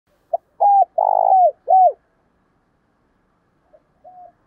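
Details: Decoy spotted dove (cu mồi) cooing, kept to provoke other doves into cooing quickly, voice style called giọng thổ: a short note, then three mellow arched coos with a longer middle one, and two faint notes after a pause.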